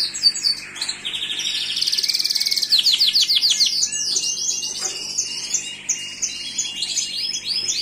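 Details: A Gloster canary sings a varied, continuous phrase of high rolling trills that shift in speed and pitch, some rapid and rattling, others slower and rising.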